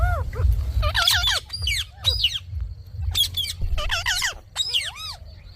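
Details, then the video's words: Talking pet Indian ringneck parakeet letting out clusters of shrill descending squawks, bursts every second or so, a single clear arched note closing the sequence over low rumble. "Talking parrot video|Ringnek parrot video|Parrot voice"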